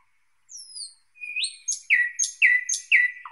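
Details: Singing thrush nightingale: a high descending slur, a rising whistle, then loud emphatic down-slurred notes repeated about every half second with high ringing overtones, closing on a low note.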